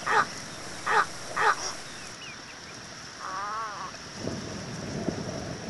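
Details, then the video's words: Little egret (Egretta garzetta) gives three harsh, rasping croaks about half a second to a second apart, followed by a brief wavering note over low background rustle. "صوت بلشون صغير غرنوق صغير Little Egret sound"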